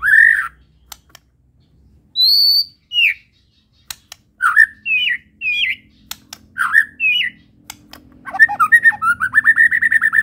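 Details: Medan white-rumped shama in full song: separate clear whistled phrases, some rising and some falling, spaced by short pauses, ending in a fast rattling series of repeated whistled notes.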